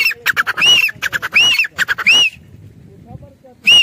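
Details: Grey francolin call: three quick clicky phrases ending in high arched whistles, then a short quiet gap with faint low sounds, then one more whistle at the end.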